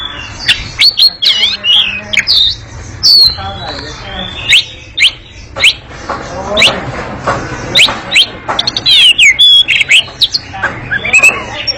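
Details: Oriental magpie-robin in long, lively, noisy ngekek chattering song: a steady stream of sharp high chips, short whistles and rapid trills at an uneven pace, with faint voices underneath.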